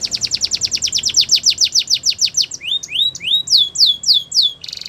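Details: Spanish Timbrado canary delivering a training song: a long run of rapid falling chips, then rising and falling slurred whistles, ending in a brief buzzy roll.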